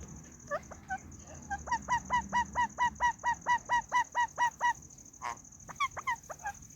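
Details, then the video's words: White ringneck parrot, a pet rose-ringed parakeet, chirping: a steady run of about fifteen clipped, evenly spaced notes, roughly two per second, with a few looser calls before and after and a faint steady high tone behind. "White Ringneck Parrot Chirping"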